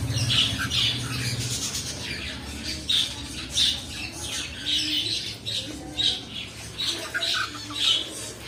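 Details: Pet cockatiels kept indoors giving repeated harsh squawking calls around every half second to second, bright and grating, several overlapping in a busy series with a low hum beneath.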